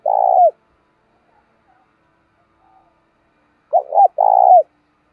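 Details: Luring coo of a decoy spotted dove: the end of one long trilled note, a pause, then a full phrase of two brief hooked notes and an extended purring coo, with nothing else audible.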